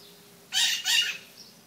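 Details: Morning maritaca parrot calls: two loud, grating squawks in quick succession, each about a quarter second long, followed by a faint distant squawk.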